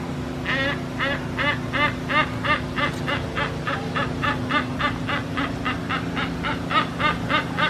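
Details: Captive silvery-cheeked hornbills at Central Florida Zoo, Sanford, in 2019 talk to each other, trading loud, nasal honking calls, about three per second in a steady run, over a low constant hum.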